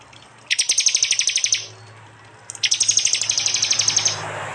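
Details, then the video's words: Two back-to-back rapid high trills, the second longer, each a rattling string of sharp pulses: prinia 'tembakan' song from a phone-recorded East Java compilation of prenjak, jali and mountain prinia sounds. "masteran Tembakan prenjak jali keras"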